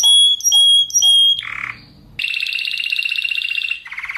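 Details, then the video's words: Tutor recording of a Spanish Timbrado canary for training other canaries: three clear flat whistled notes, a harsh low buzz, a pause, then a long dense rattling roll and a closing buzzy trill. "SUARA KENARI SPANISH TIMBRADO TEMBAKAN NGEROLL RAPAT COCOK BUAT MASTERAN DAN PANCINGAN KENARI ANDA"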